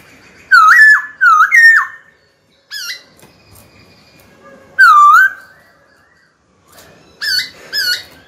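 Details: White-cheeked laughingthrush in captivity calling a rival to fight, with loud slurred whistles in quick succession, a short sharp note, a long dipping whistle, then softer notes at the end.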